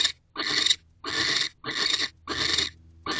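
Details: Owls mating inside a nest box in the evening in mid-December; rasping, hissy screech bursts of under half a second, coming in a quick regular series separated by brief silences.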